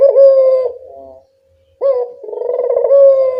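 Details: Lure recording of a local turtle dove meant to make wild doves answer. A clear coo is followed by a softer trailing note and a brief pause, then a fresh phrase with a rolling, throbbing coo ending in a held tone.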